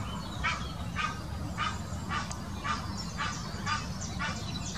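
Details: Egyptian goose giving its mating call in the Wittlicher Senke, 2018: hoarse, breathy honks repeated about twice a second in a steady series over low, rumbling background noise.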